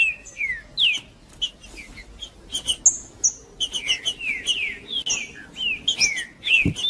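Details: A green-winged saltator sings in the macheando style, used to stimulate other birds to sing. A dense run of falling whistles and short bright slurs comes in quick succession, crowding together near the end, with a brief click.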